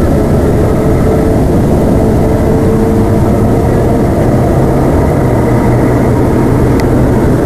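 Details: A continuous heavy engine drone with a faint steady hum over it, and no animal calls heard.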